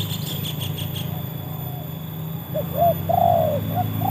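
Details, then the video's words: Trained spotted dove tested against wild birds. After a stretch of rumbling background noise, a few short, soft coos lead into a long, steady hooting note and a brief final coo. "kualitas burung tekukur ajaran sudah teruji oleh burung liar"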